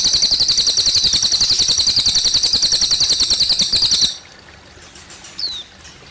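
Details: Cililin bird by running water: a sustained, rapid, high-pitched chirping trill for about four seconds, then it stops, leaving quiet trickling water and one short falling whistle.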